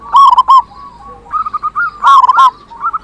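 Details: Local zebra dove singing loudly as a lure for other zebra doves. Loud ringing coo notes open and close a soft rolling, bubbling phrase, with another softer dove audible underneath.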